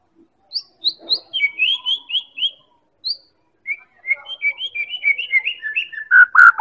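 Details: White-rumped shama (Medan murai batu) song used as a lure to make other birds sing: rapid series of clear whistled notes descending from high to mid pitch, then rich warbling phrases ending in loud lower slurred notes.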